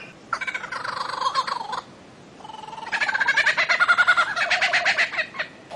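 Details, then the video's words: Two long bursts of rapid, buzzy rattling notes from a bird-of-paradise, the second one faster and louder with a rolling, pulsed texture, separated by a brief quiet gap. "KICAU MASTER BURUNG CENDRAWASIH"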